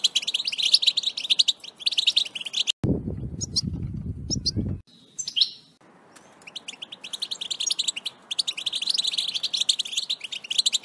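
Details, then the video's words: European goldfinch song, played to make a kept goldfinch sing strongly: fast, liquid, tinkling twitters in long bursts, broken midway by about two seconds of low rumbling noise and a brief near-silence. "بتبتة تجعل حسونك يغرد بقوة"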